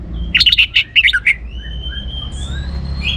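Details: Orange-headed thrush singing to spur other birds into song: a fast run of bright, choppy chirped notes, followed by a long thin whistle rising slowly in pitch over background hum.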